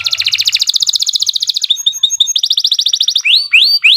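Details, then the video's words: Atlantic canary in long, energetic song used to stimulate young or silent canaries: a dense fast rolling trill, scattered chirps, a second trill, then loud rising swooped whistles. "Kicau Burung Kenari 80 II GACOR PANJANG"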